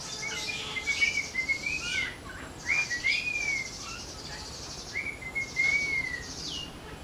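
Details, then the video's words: Parrot calling with clear whistled notes that rise and fall, given in short bursts about every second or two, over a steady high hiss of background noise. "Loud Parrot Chirping Natural Parrot Sounds Parrot Calling Sounds"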